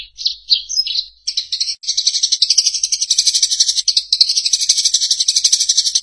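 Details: Eurasian tree sparrow, recorded for teaching songbirds to copy its voice: a few separate high chirps open the passage, then merge into a sustained, fast, buzzy chatter pulsing several times a second until the end.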